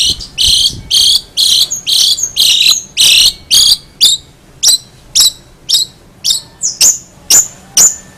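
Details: Long-tailed shrike repeating loud, harsh, buzzy high notes about twice a second, the early ones thick and grating, later ones thinner and more clipped, in a quiet setting.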